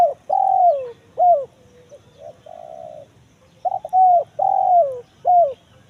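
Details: Spotted dove call in the style known locally as kuk 1 mersik, used as a lure to draw wild doves in the forest: clear, mid-pitched coos in short phrases, each note bending downward, with a two-second pause between phrases.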